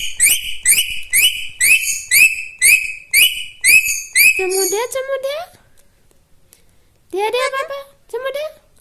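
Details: Pet talking parrot indoors gives a run of nine sharp whistled notes, about two each second, then squeaky speech-like phrases broken by a pause of roughly a second and a half.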